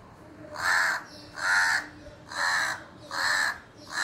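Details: At a house window, a crow gives a run of five rough, nasal caws, evenly spaced under a second apart, each broad and grating, over a faint background hiss.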